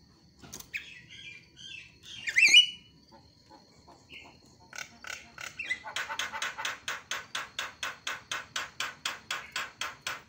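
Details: Javan myna lure sound meant to get quiet mynas chattering again: a few harsh squawks and a loud rising note, then a steady fast train of rasping clicks repeated about five times a second.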